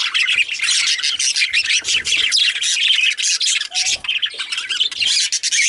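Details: Several male budgerigars chattering together, a continuous mix of harsh squawks, buzzy warbles and quick chirps with short dips in loudness.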